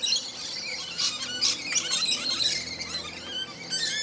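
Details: Rainbow lorikeets fighting, giving dense, harsh, high screeches and squeals that overlap almost continuously, with sharper peaks around one and one and a half seconds and a steady low hum beneath.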